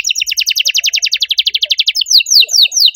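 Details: Canary singing loudly in an Indonesian 'gacor' style with a unique 'cengkok' phrasing: rapid bright notes repeated about eight per second for two seconds, then clear downward-slurred whistles repeated about three per second.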